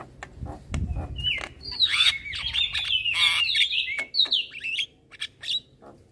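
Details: Nonstop chatter of a young Javan myna, head bobbing: loud wavering whistles and rough buzzy notes strung together, with a few sharp clicks and a dull thump near the start.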